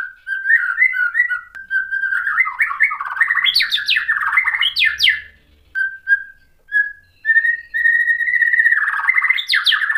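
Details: White-rumped shama singing to provoke other shamas: a long, varied, rich warbling run with quick slurs, sweeping notes and sustained whistles, with a brief pause midway.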